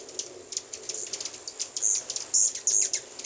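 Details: Hummingbirds gathered in full force at a house where only a few had shown up before: sharp, very high chips and ticks scattered through the clip over a steady high-pitched background whine.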